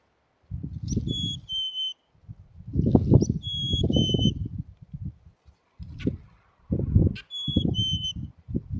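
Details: At a wild chickadee nest cavity near Emigrant, Montana, on June 18, 2022, a chickadee's clear two-note whistle, high then slightly lower, comes three times, half-buried under loud low thumps and rustling close by.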